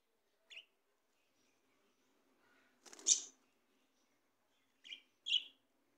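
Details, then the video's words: Australian parrots, described as talking, give short harsh squawks, one noisy broad burst near the middle and a pair of quicker rasping notes toward the end, separated by silent gaps in a quiet room. "Talking Australian Parrots Cute Sounds"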